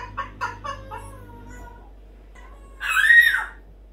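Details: Morning chatter from a pet parrot indoors: a quick run of short chuckling syllables fading away, a pause, then one loud harsh arched squawk near the end; faint hum in the background.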